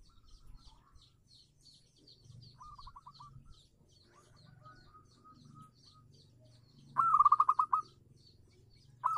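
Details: Local zebra dove singing as a lure for doves that have stopped singing, a loud burst of rapid fluttering coo notes at the seventh second, softer rolled phrases earlier, and faint high chirps of other small birds.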